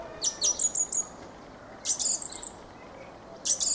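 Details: Fieldfare giving three short bursts of thin squeaky chatter, each a rapid string of high notes, separated by quiet pauses.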